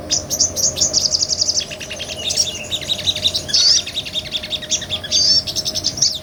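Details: Sunbird, a small nectar-eating bird, in lively ngobra song used as a tutor for other songbirds; high, thin, rapid chattering trills and twitters, repeated in bursts with short sharp whistled notes between, a steady low hum beneath.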